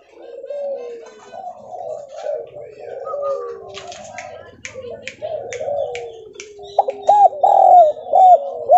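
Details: A local Javanese spotted dove, used as a lure call to make other doves respond, gives soft, low, hollow coos in short stuttering phrases, then a louder, clearer run of rising-falling coos near the end; faint chirps from other birds behind.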